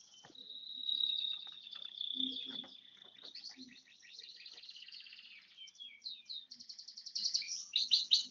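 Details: One-year-old bar-winged prinia singing: a long thin high whistle slides into fast buzzy chattering trills, then rapid repeated sharp notes that grow louder toward the end; faint low background noise.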